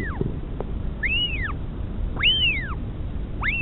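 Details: At a Pukekura/Taiaroa Head nest near Dunedin, New Zealand, a northern royal albatross mother feeds her chick in 2016; live nest camera. High whistled squeals arc up and down about once a second above low wind noise.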